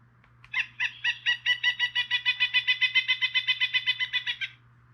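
Pileated Woodpecker giving a loud, ringing series of about fifteen quick, even notes over four seconds, with a faint steady hum beneath.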